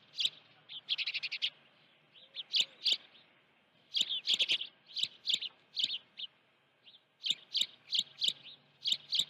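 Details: Osprey calling from its nest at Dunrovin Ranch on 16 June 2019 while a live fish is present; bursts of rapid high whistled chirps alternate with short silences, some runs quick and stuttering, others evenly spaced.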